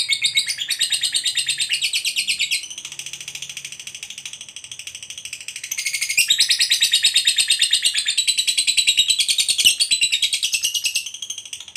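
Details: Contest fighter lovebird performing the ngekek panjang long trill. Two extended bouts of fast, high, buzzy pulsing are each broken by a brief dip. The second bout rises louder and runs on for several seconds.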